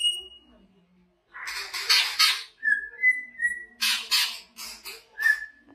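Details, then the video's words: Big-bodied greater green leafbird from Banyuwangi, valued by songbird keepers and used as a contest tutor, mixing harsh broadband squawking bursts with short level whistles and chattering notes. "Burung Cucak Hijau Gacor"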